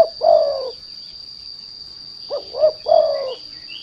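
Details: Spotted dove (derkuku) calling as a lure to provoke untrained doves into singing: a drawn-out low coo ends, then a three-part phrase of two short rising notes and a longer falling coo, over a steady high insect-like whine.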